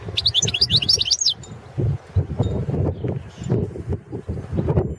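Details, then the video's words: European goldfinch of the subspecies Carduelis carduelis balcanica, a competition entry for the World Championship in Goldfinch Song 2017, gives a rapid, tinkling, twittering phrase of high notes for just over a second over steady low rumbling background noise. "World championship in Goldfinch Song 2017"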